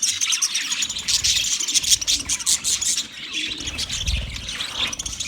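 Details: Budgerigars, 29 February 2024: rapid overlapping chirps and chattering warbles, loud at first and then softer, with a dull low thud near the end.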